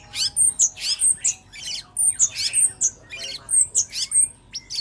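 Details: Cucak cungkok bulbul song played as a training recording for other birds: sharp high whistled notes alternating with rapid buzzy chirps, repeated in quick irregular bursts, clear and loud with little background.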